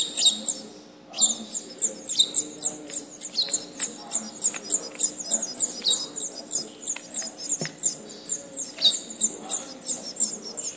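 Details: House finch (Haemorhous mexicanus) nestlings being fed beg with thin, high chirps, two or three a second in an insistent stream, over a faint steady hum.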